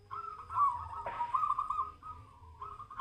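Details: Zebra dove's quavering, rolling coo held for about two seconds, interrupted by a brief rustling burst, then a short closing coo, with low background hum.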